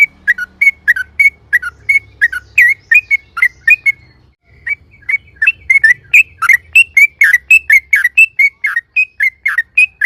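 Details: Yellow-vented bulbul in loud, lively song used as a lure to prompt other bulbuls to answer: a long run of short, sharp whistled notes, each dipping and rising, repeated several times a second with a brief pause midway.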